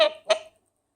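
Two quick, nasal, honking calls in close succession, goose-like in tone, then silence.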